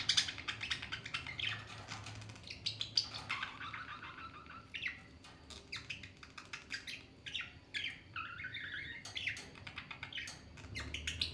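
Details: Two talking parrots in a lighthearted fight, keeping up continuous busy chatter of chirps, squawks and short whistled slurs, fairly quiet, with a low background hum.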